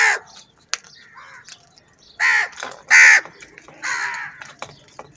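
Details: Large group of crows fighting over food, giving loud harsh caws in a burst near the start and three strong calls in the second half, with fainter calls and rustling between.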